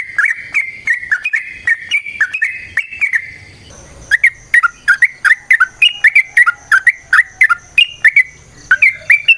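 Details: Lure song of the sooty-headed bulbul, styled ropel variasi nrotok ngecuplik, to bring other bulbuls into song: lively chattering phrases of bright chirps, a short pause, then a rapid, steady string of sharp repeated notes.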